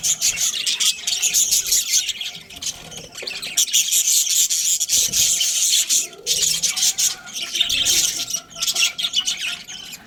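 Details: Australian budgerigar breeding pair producing continuous raspy, buzzing chatter with rapid chirps layered over a faint steady hum, nearly unbroken.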